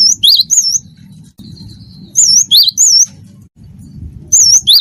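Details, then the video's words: Cinereous tit of the wingko type singing for a tutor recording meant to coax other birds into song. Several short clusters of high, looping whistles are spaced by pauses, with one thin level whistle and a low hum beneath. "gelatik batu wingko gacor"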